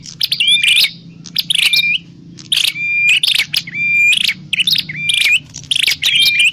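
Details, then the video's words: Prinia, known locally as prenjak klawu, recorded for use as a trapping lure; harsh chattering bursts, each ending in a flat whistled note with a short upward flick, repeated about every second against a faint low hum. "Suwara Burung Prenjak_klawu Buwat_Mikat"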